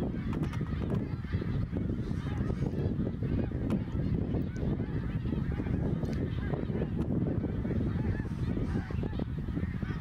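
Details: Greater snow geese flying over Ottawa, Canada, during their autumn 2021 migration, hundreds of thousands of birds; ten seconds of unbroken, crowded honking chorus blurred together, backed by a heavy low rumble.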